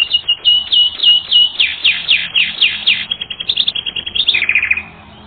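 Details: Canary song from a training recording, shifting between quick chip trills and louder sweeping, buzzy phrases, closing with a fast rattling roll before falling quiet.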